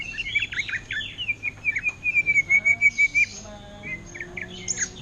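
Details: Caged greater green leafbird singing in the ngentrok style imitating an orange-headed thrush: clear whistled slurs, then a fast run of about a dozen evenly repeated sharp notes, followed by scattered chirps.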